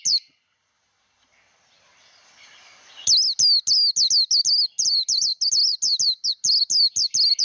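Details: Fighting song ('líu đấu') of a Japanese white-eye used in voice training for a newly caught bird: one early note, a quiet gap with soft hiss, then a fast, insistent run of high, hooked whistles.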